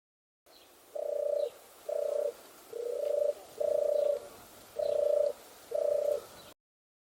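A European turtle dove gives six soft, low purring coos, each a rolling 'turrr' about half a second long, spaced roughly a second apart, over faint background hiss.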